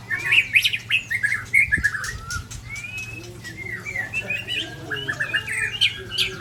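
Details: Aceh white-rumped shama from Sabang confronted by shamas of Ujong Pancu and Tangse: rapid chattering chirps and short slurred whistles run almost continuously, with a wing flutter partway through and a low background hum.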